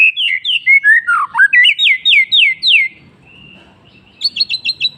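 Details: White-rumped shama in afternoon song. Rich, varied whistled phrases twist up and down, then a rhythmic run of loud downslurred notes, a brief quiet gap, and a final burst of short high repeated notes.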